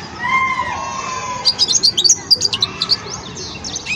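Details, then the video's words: European goldfinch youngster in the song-learning stage, starting with faint drawn-out tones, then a quick, jumbled series of high sharp twitters and chirps over a constant low background hum. "جان مقنين ويداني في مرحلة فرز التغريد"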